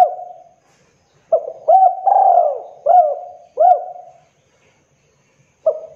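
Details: Spotted dove, Javanese type, a prize-winning singer, delivering low resonant coos: a short opening note, then a rising lilt and longer descending hoots, grouped in a phrase before silence.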